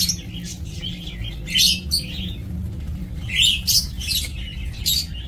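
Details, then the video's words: Lovebirds in a breeding aviary on 2 October 2024 give shrill, scratchy chirps in irregular bursts over a noticeable low rumbling background. "Aviary Lovebird"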